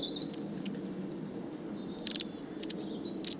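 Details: A flock of long-tailed tits around suet feeders at Saltersford Locks, Cheshire, in winter 2012/13, giving thin, very high see-see calls with a brief sputtering trill midway, over a steady low hum.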